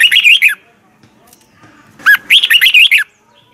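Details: A red-whiskered bulbul sings its morning training song in the double twisting style; a short warbled phrase ends, then after a quiet stretch a longer one begins with a sharp rising whistle and runs into rapid notes.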